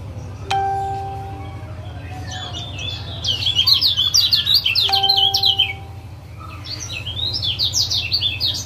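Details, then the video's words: Caged-bird training call of a male lemon-bellied white-eye from Lombok, 'ciak ciak' chatter meant to make a quiet male sing: two ringing bell-like tones, then loud bursts of quick, scratchy high chirps over a low hum. "Masteran Ampuh Ciak Jos Kecial Kuning"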